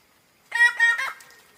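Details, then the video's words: Bird of paradise giving a short, loud, nasal call of about three rich harmonic notes, run together within half a second, in an otherwise quiet setting. "the sound of birds of paradise"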